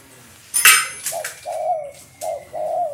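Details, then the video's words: Spotted dove cooing, a few soft, low hooting notes in two-part phrases, preceded by clattering sounds like dishes. "Nghe tiếng chim cu gáy hay"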